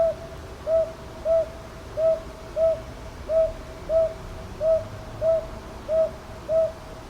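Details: Northern boobook from Ichijoji, Kyoto's Sakyo Ward, recorded 22 May 2023 with a TASCAM DR-100MKIII, giving a steady series of about eleven mellow hoots in paired rhythm, each note short and slightly arched, over quiet background.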